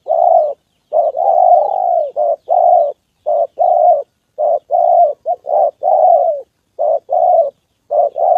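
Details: A decoy spotted dove in training, calling loudly and almost continuously: long, even, hollow coos mixed with short clipped notes in a rapid, irregular series, with no other sounds.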